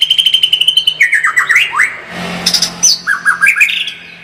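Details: Rapid tembakan song of a white-rumped shama: a fast run of evenly repeated high notes, quick descending whistled slurs, a harsh burst, then more quick dropping and rising notes.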